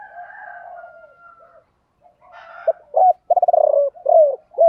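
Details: Spotted dove calls of male and female, used to prompt kept birds to coo, 'thổ bầu' voice style: faint low murmurs, then hollow low coos and a rapid rattling burst of pulses followed by arched notes.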